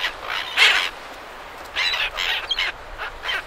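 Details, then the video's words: Several silver gulls calling near surf at Perth, Australia, at medium close range: harsh, squawking bursts, one loud near 0.6 seconds and a cluster between 1.8 and 2.6 seconds, a shorter squawk near 3 seconds, over steady surf noise. "Silver Gull. MCU Calls From Several."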